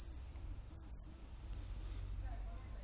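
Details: Hazel grouse giving very high, thin whistles: a short thin note, then a wavering trilled whistle, both brief, over low background hum.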